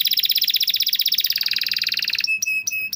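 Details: Diligent canary song for coaxing silent canaries: a long rapid pulsing trill sliding slightly lower, followed by several sharp clear chirps.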